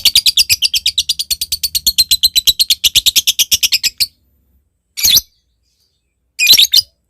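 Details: Rival-calling lure of a lovebird: four seconds of quick, shrill, rasping notes in an even run, followed by silence broken by two short harsh squawking bursts.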